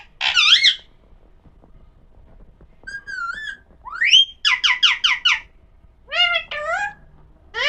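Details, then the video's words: Alexandrine parakeet (pahadi parrot) talking: a varied run of whistled, warbling syllables and sharp squawks, some rising steeply, others in fast stuttered groups of four or five, with short silent gaps between bursts. "pahadi parrot talking video"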